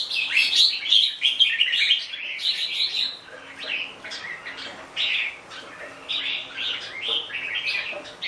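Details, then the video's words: Red-whiskered bulbul in a lively run of song, quick chirpy warbled notes tumbling up and down in close succession, a burst of dense phrases early and then shorter repeated fragments, over a quiet hum. "Chào mào bông"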